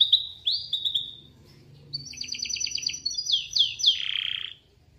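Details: Canary song played to lure a canary into singing: clear whistled notes, then a rapid rattling trill and several swooping upward slides, ending in a buzzy descending note, faint low background hum.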